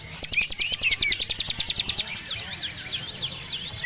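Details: Mountain Javan prinia in energetic song: a rapid series of sharp high ticking notes, about five per second for two seconds, followed by looser sweeping slurred whistles rising and falling; faint background hiss.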